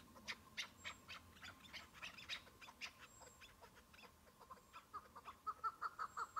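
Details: Chukar partridge calling on patchy spring snow during a hunt with a decoy bird and a single wild partridge; irregular sharp clicking notes build into a run of steady, repeated clucks at the end.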